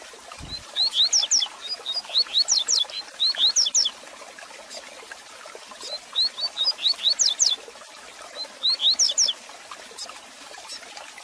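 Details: Double-collared seedeater song played to stimulate and teach a caged bird: several lively phrases of rising whistles and sharp descending high notes, each about a second long, repeated every two to three seconds over crackling noise.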